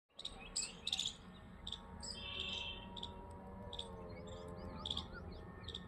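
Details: Small birds giving sharp, high chirps in quick clusters, with a few short buzzy notes and faint rising twitters, over a low steady hum.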